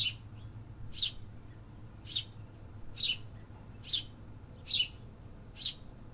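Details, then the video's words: Urban birds active in the city: short bright descending chirps spaced about a second apart, with a faint low background rumble. "Urban Birds Sound Effects -- Hear the activity"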